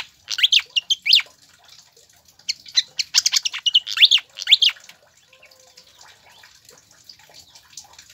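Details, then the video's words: Pied fantail song, used to stimulate captive birds to sing: clusters of sharp, high rising whistled notes and quick chips delivered in two busy bursts, then fading into faint scattered ticks and quiet. "PANCINGAN DAN MASTERAN SIKATAN KIPAS AGAR CEPAT GACOR"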